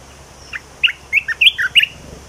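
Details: Red-whiskered bulbul performing its new song phrase: around seven rich, warbled whistles in quick succession, alternating higher and lower notes, with the loudest note near the middle and a soft low hum underneath.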